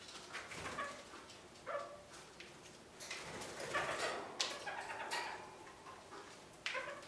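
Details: Caged red-crowned parakeets occupied with a big willow branch during dull winter days, giving rapid, scratchy chattering calls with brief nasal tonal notes in irregular clusters, plus light rustling of twigs.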